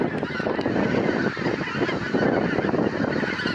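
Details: Hundreds of geese descending onto a pasture; a loud, packed cacophony of overlapping honks and gabbling calls with no pauses, the whole flock calling at once.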